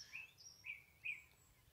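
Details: A male song thrush singing, repeating each phrase several times: faint, brief whistled notes, with one short note repeated twice about half a second apart, over a soft background hiss.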